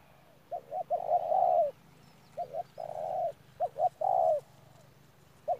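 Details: Caged spotted dove used as a ground decoy at Đức Cơ, November 2018, calling in short bursts: two quick clipped notes then a drawn-out, slightly wavering coo, repeated about every one and a half seconds over a low steady hum.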